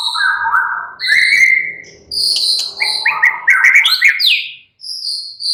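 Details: White-rumped shama in relaxed song said to get other shamas chattering within minutes: rich mid-pitched whistled phrases rising step by step, with quick slurred notes and high clear whistles toward the end.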